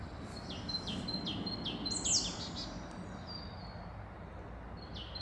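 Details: Marsh tit in woodland near Ede, Netherlands; a series of high, quick downslurred notes repeated rapidly, followed by thin whistles, over a steady low background hum.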